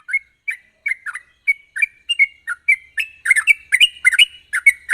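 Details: Rapid, sharp song of a sooty-headed bulbul, played as a lure to prompt untrained birds to sing: spaced slurred chirps that quicken and grow louder and denser in the second half.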